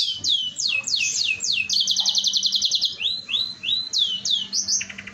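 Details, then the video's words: Canary pouring out gacor song meant to draw other canaries into singing: a string of falling whistled notes, a rapid even trill, rising slurs, then lower stuttering notes at the end. "Pancingan kenari gacor sekali putar semua ikut bernyanyi"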